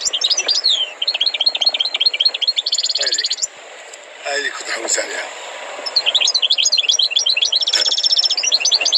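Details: Trained European goldfinch singing energetic, fast liquid twitters and a buzzy trill, then a short lull with soft background noise, before another bright burst of rapid tinkling notes.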